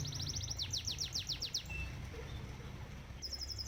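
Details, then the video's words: Canary song near a koi pond, a rapid run of sweeping high notes followed by a brief pure whistle and a later high trill, with a steady low water rumble throughout. "Relaxing Canary Bird Singing and Koi Pond sounds | Canto de Canario y Sonido de Estangue Koi"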